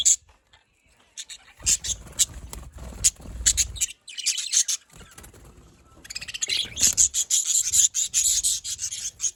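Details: Budgerigar calls from Larkana, Sindh: isolated high chirps over low rumbling thumps, building to a sustained stretch of busy, shrill twittering chatter at the end.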